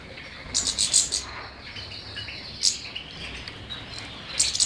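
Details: European goldfinch giving short bursts of rapid high chirping twitters, with a dense cluster near the start, a single sharp note midway and another burst at the end.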